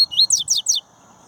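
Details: Aviary-bred double-collared seedeater singing a short phrase: one rising slurred whistle, then three rapid high notes that sweep steeply downward, ending abruptly over a low steady hum.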